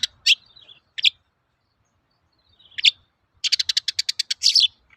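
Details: Long-tailed shrike song used as a lure for training birds: scattered sharp squeaky notes and a slurred whistle, then a fast even burst of about ten clipped notes ending in a harsh scratchy note.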